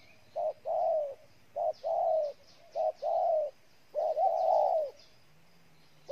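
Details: Spotted dove from Ninh Thuận, Vietnam, cooing in a clear repeated pattern: a short note followed by a longer drawn-out coo, given three times, then a longer slurred coo, with faint high chirps from other birds behind.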